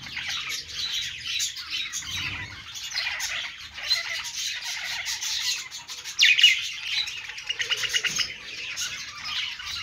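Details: Budgerigars singing on a perch, a steady stream of high chirps, rasping squawks and rapid twitters from several birds, with a louder burst of calls near the middle and end.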